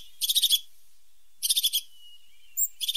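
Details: A pointed or sharp-nosed tit gives high buzzy bursts. Each burst is about five quick pulses, repeated roughly every second, with a faint thin whistle between them. Nothing else is heard.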